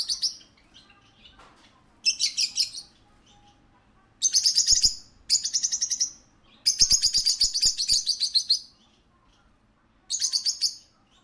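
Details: Parakeet at a pet shop giving bursts of rapid, high, chattering chirps, each run lasting about half a second to two seconds with pauses between, plus a few sharp clicks and faint low background hum.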